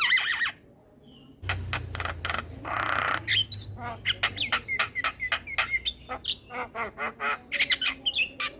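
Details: Full song of an adult male Javan myna, meant for tutoring a young bird: dense stream of sharp clacking notes and short whistles, with a raspy noisy stretch early on over low hum.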